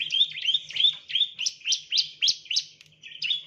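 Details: Ciblek, Prinia familiaris, chirping as a lure for training birds: buzzy high notes, then sharp rising-and-falling chirps about three per second, with a brief gap before a final buzzy note.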